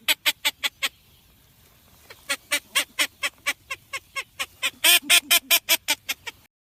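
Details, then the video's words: Blue-winged teal, recorded for Dominican hunting: a long string of about two dozen clipped, harsh notes. A quick burst opens, then a pause, then a steady run at roughly two to three notes per second that grows louder near the end. "Sonidos del Pato de la Florida Anas Discors"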